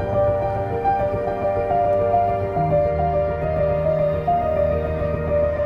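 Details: Soft, sustained ambient instrumental music with held tones and no animal voices.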